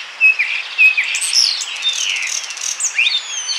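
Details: Common starling singing in Bryansk, Russia: a varied medley of clear whistles, sweeping slurred notes and chatter, with a long descending whistle mid-phrase and a rising whistle near the end.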